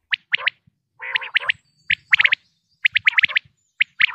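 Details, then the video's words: Common quail calling in Pakistan: rapid bursts of three or four sharp, high, liquid notes, one nasal buzzy note mixed in, and soft low knocks in the background. "quail sounds 2023|batair ki awaz 2023|pakistani batair|top sounds of batair"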